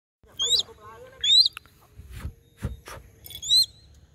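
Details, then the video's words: A hunting crested goshawk gives three shrill, high whistled notes that sweep up then down, spaced a second or two apart, with a few dull thumps between. "crested goshawk hunting"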